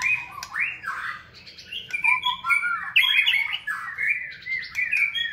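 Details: Caged white-rumped shama singing energetically during fitness training in a flight cage: a rich, varied stream of fluty whistles, slurred rises and falls, and short harsh notes with barely a break.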